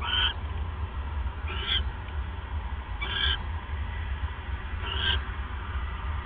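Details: Owl calling softly at 11:37 pm, 28 January 2015, as a male delivers a mouse to his mate. Four faint, thin squeaks, each with a slight upward slur, come roughly every one and a half seconds against a steady low hum.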